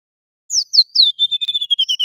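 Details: Golden-bellied gerygone, a singing male, gives a clean high whistled song: three descending slurred notes, then a rapid series of short level whistles of steady pitch.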